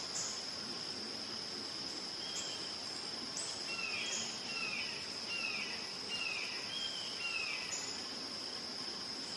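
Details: Red-shouldered hawk screaming in a burst of about six descending, slurred calls in quick succession mid-clip, set against a persistent high insect drone.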